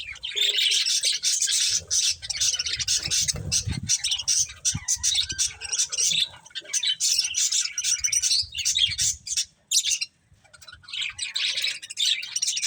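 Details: Budgerigars munching corn chatter nonstop in high, buzzy warbles and chirps, the flock noise dipping briefly near the end before rising again.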